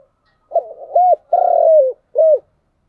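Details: One complete cooing phrase from a spotted dove in the 'chiêu' and 'thúc' manner: stuttering opener, arched hoot, long level coo sliding down, then a brief closing hoot, all low and mellow with nothing else audible.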